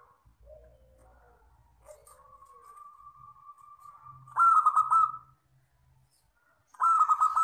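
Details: Local wild zebra dove in long 'crystal' song: soft low notes, a long even whistle-like note, then two loud rolling coos about two seconds apart.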